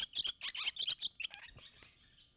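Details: Barn swallow pair at their nest, 30 April 2018: the male arrives and sings vigorously, then the pair converse. A rapid burst of loud, chirpy twittering notes is strongest early, then thins into softer, spaced chirps over the final second.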